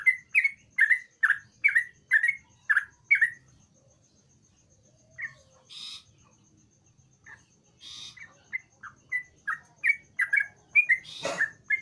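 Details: Sooty-headed bulbul in full voice, played to lure a silent bird into song. A fast run of short chirped notes stops for a pause with scattered faint notes and hissy bursts, then resumes as quick, slightly varied chirps.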